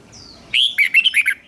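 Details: Red-whiskered bulbul trained for song contests, a thin descending whistle followed by one quick burst of five or six rich, rolling, slurred notes.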